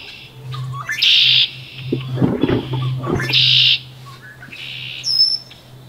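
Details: Wood duck sitting on eggs inside a nest box in late May. Two strong, rough squealing calls about two seconds apart, then a short high whistle, over rustling and a constant low hum.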